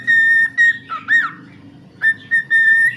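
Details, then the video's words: Loud, pure whistled notes from a pet cockatiel's song, long steady tones with a brief wavering, swooping phrase in the middle. "The charming cockatiel Milo shares some delightful singing moments."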